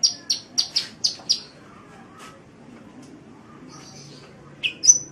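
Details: Kolibri (sunbird) singing vigorously on a birdkeepers' training track: six evenly spaced high piercing chips, a long near-silent gap, then a thin trill and two final squeaky notes.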